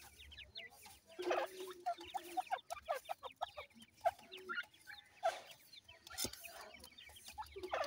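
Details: Grey francolin chicks, feeding and playing, utter bursts of high, piercing peeps and short chirps, coming in quick uneven pulses from several birds, with a few lower, softer notes mixed in.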